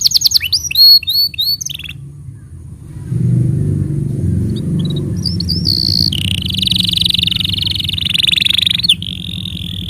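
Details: Canary tutor song for training young canaries and prompting canaries that have stopped singing: a quick run of clear whistled, looping notes, then a long, steady, buzzy rolling trill, with a low engine-like rumble underneath in the middle.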